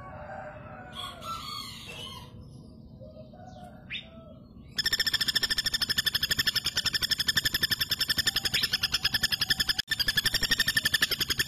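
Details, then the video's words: A female common flameback, offered as tutor audio for training birds, gives a fast, dry rattle of sharp notes, about four a second, preceded by softer chirps from other birds. "SUARA BURUNG PELATUK BAWANG BETINA GACOR"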